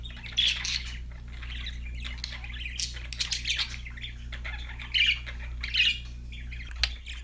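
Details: Happy budgies chirping: scattered short scratchy chirps and a few brighter trills, quiet between bursts, over a steady low electrical hum.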